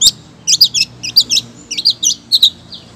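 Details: A female long-tailed shrike calls to the male with paired and tripled high squeaky chirps in quick bursts, nearly two per second, clear over a quiet low hum.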